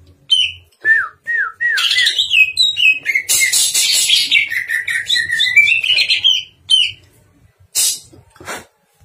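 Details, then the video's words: Greater green leafbird (cucak ijo) in full song, a recording used to train other songbirds: a rich, varied song of slurred whistles, rising and falling phrases and sharp chattering notes, mixed with mimicked snatches. "Cucak Ijo GACOR Isian MEWAH Sangat Cocok Buat Masteran dan Pancingan"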